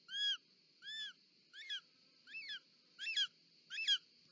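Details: At a nest in Parc Natural dels Ports, Spain, on 18 July 2024, a female short-toed snake eagle bringing a snake gives seven whistled calls; the first two are smooth and arched, the later ones more broken and wavering, over constant background hiss.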